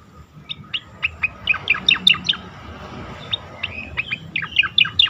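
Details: Asian pied starling singing for training competition birds: a steady stream of sharp descending chirps, densely repeated, with a brief lull midway before another lively run.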